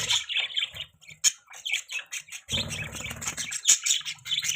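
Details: Budgies chirping in a mating call: scratchy warbling chatter with sharp squeaks and harsher squawk-like notes, over a low rustling background in the middle.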